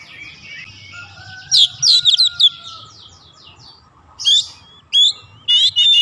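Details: Agitated Oriental magpie-robin, provoked to sing, gives scratchy chattering notes and rapid clicks, then separate short sharp whistled bursts, with a faint steady tone and low background hum.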